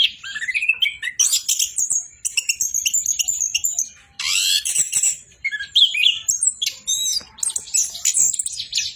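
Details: Orange-headed thrush singing constantly: fast sequences of rising whistles, harsh buzzy phrases and sharp high chips, with one short pause midway before the stream resumes.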